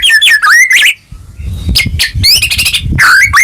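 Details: White-rumped shama song used to prompt a silent, unmotivated caged bird to sing again; loud varied whistles and sliding notes, bursts of rapid harsh rattling phrases, brief pause, then more rising whistled notes.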